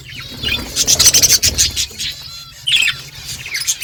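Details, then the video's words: Budgerigars in a morning flock chattering: a quick burst of high warbled chirps and squeaks, a short pause, then more bright chattering notes. "Budgies flocks in beautiful morning 🌄 birds talking to each other"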